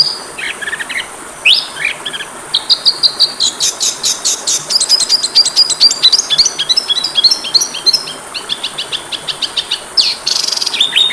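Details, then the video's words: Oriental magpie-robin (kacer) training recording: a fast, dense, varied song of high, sharp whistles, chips and rapid trills, with phrases following almost without pause and a brief quieter gap near the start. "MASTERAN KACER PALING DI CARI, masteran Kacer suara burung kecil yang sedang tren di tahun ini"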